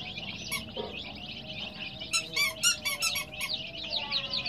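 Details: Coloured chicks peeping in a high chorus, with a burst of louder, sharper, ringing peeps in the middle and a faint steady tone running beneath.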